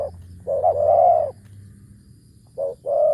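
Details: Ground decoy spotted dove, deep ku ang kham coo. A wavering short note leads into a long mellow coo, then after a pause comes another short note and a long coo.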